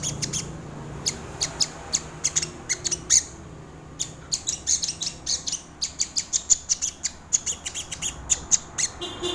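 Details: Crimson sunbird song used for luring and tutoring birds, a long string of thin, high-pitched chips and ticks delivered in quick uneven runs, with a brief lull before the notes resume.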